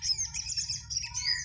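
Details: Sunbird singing in a four o'clock afternoon contest: a quick, dense tangle of high twittering notes over a faint low hum.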